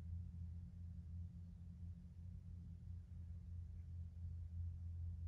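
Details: A quiet, steady low-pitched rumble and hum with nothing else.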